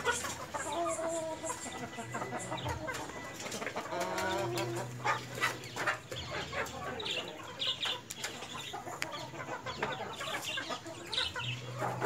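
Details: White Leghorn hens and rooster giving repeated short clucks and harsh squawks throughout, several birds calling over one another, with a steady low hum and occasional rustling beneath.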